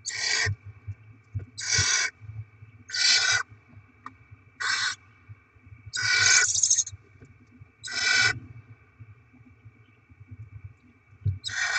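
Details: At a barn owl nest where the adults bring rodents and feed their chicks, 7 February 2024, about eight rasping hisses of varying length come irregularly over twelve seconds. Some are brief, one is drawn out, and a low background rumble continues throughout.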